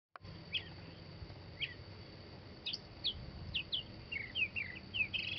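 Northern Mockingbird giving a quickening run of short, varied high chirps and slurred notes, closer together toward the end, over a steady faint high whine and low rumble.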